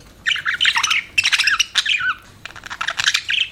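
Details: Pet budgerigars chirp in three or four separate bursts of busy, grating warble and bright squeaky notes, with brief gaps between them.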